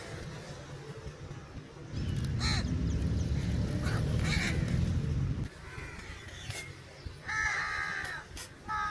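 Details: Crow calling for food, giving a few harsh, hoarse caws spaced apart, with loud low rumbling background noise during the first half.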